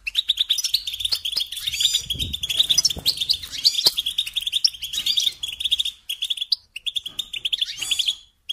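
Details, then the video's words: European goldfinch lesson song for young birds: continuous rapid twittering with buzzy and tinkling elements for six seconds, a short break, then further trilled phrases; occasional low bumps. "Teaching Singing Lessons Through Goldfinch Motives"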